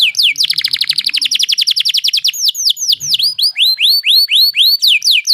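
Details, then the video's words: Canary rolling song (ngeroll), played as a tutor recording for other birds: a fast, dense trill of buzzy notes about four per second, followed by a series of rising whistled upslurs repeated at a steady pace. "Canary Ngeroll Emosi"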